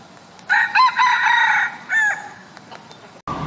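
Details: Rooster crowing in the morning in Thailand: one loud, harsh cock-a-doodle-doo in several stepped syllables, then a shorter tail note, before a brief burst of other sound.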